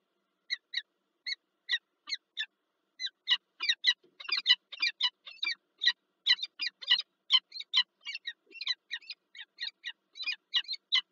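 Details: Wild Peregrine falcons at a nest site in Lublin, Poland, on 9 March 2024, as the first egg is laid and a bird arrives with a gift: a long run of sharp, harsh, rasping calls, roughly three per second, steady throughout, with no other sounds.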